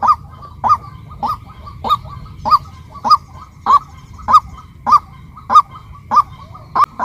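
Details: Monotonous series of about twelve honking calls from a female white-breasted waterhen, each a short nasal note curving up and down, delivered regularly roughly every 0.6 seconds.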